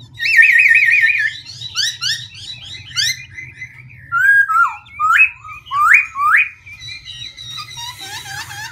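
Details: Black-throated laughingthrush singing and switching its voice continuously: a fast wavering trill opens, then slurred whistles, upward swoops and rising notes follow one another in constantly changing phrases, over a low steady hum.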